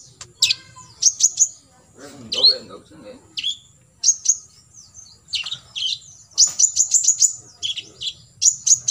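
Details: Olive-backed sunbird, called kolibri ninja, giving full tembakan isian for contest-bird practice: clusters of quick, piercing high chirps and short trills in bursts, with a brief lower murmuring sound early on.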